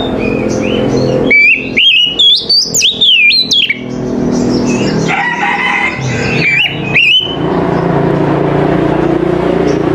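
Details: Oriental magpie-robin (kacer) in the morning: a burst of rapid whistled notes early on, then a harsher buzzy stretch and a few more whistles over steady background noise.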